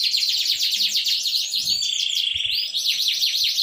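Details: Domestic canary singing vigorously, a lively training song meant to get canaries that have stopped singing to sing again: a dense, continuous stream of fast high trills and rolling whistled phrases, with sweeping notes near the middle.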